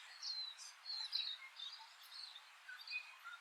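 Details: Dunnock singing on a farm in the Maungakotukutuku Valley, New Zealand, in early winter: a fast, high, scratchy warble of jumbled notes running about three seconds, over faint outdoor hiss.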